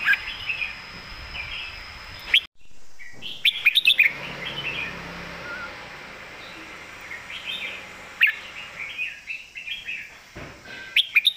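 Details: Red-whiskered bulbul singing in the southern Thai master-song style, a loud golden-voiced bird: short warbled whistled phrases around mid-high pitch, repeated with pauses, a few sharp clicks and a faint steady high hum behind.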